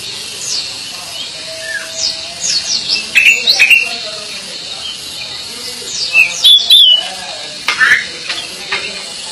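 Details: Pied bushchat singing actively, bursts of high whistled and twittering notes, some sliding, in short phrases separated by pauses, with faint low background sounds.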